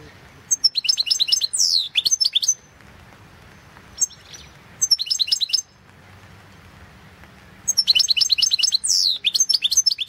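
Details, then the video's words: Entry in the 2016 internet World Championship in Goldfinch Song: a European goldfinch gives three phrases of fast, tinkling high twitters mixed with liquid downward-sliding whistles, separated by quiet pauses of a second or two. "Pesma štiglića"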